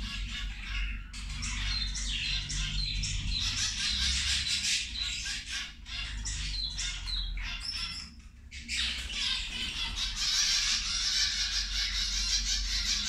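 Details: Several zebra finches feeding together give overlapping squawky, nasal calls in busy bursts, with a brief lull near the middle before the chatter builds again over a low hum.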